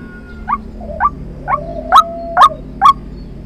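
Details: Decoy call of a white-breasted waterhen, played to lure birds into traps: a run of six abrupt, nasal notes roughly every half second, growing louder toward the end, with a faint sustained tone in the background.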